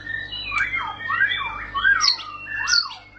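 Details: White-rumped shama giving long rolling song: a series of loud slurred whistles, each dipping then rising, repeated about every half second, with a faint steady background hum.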